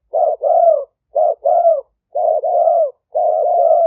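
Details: Spotted dove decoy call recorded live at a dove-keeping camp in Roi Et, Thailand, on a smartphone, used to lure wild doves: low hollow coos in paired and grouped notes, repeated roughly once a second with short gaps.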